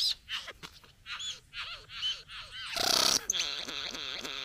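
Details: Courting a female at the bower, a satin bowerbird produces short buzzy, wavering notes, then a loud harsh burst followed by a continuous rhythmic whirring buzz.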